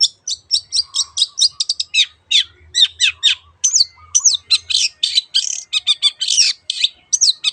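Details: Long-tailed shrike lure song to encourage other birds to sing: unbroken stream of rapid, sharp high notes, mixing rasping chatter with downslurred whistles, loud throughout.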